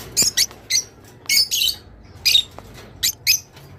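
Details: Rosy-faced lovebird singing, used to speed up mating: sharp, shrill squeaky chirps in short bursts, singly and in pairs, about one per second, loud and close against a quiet background.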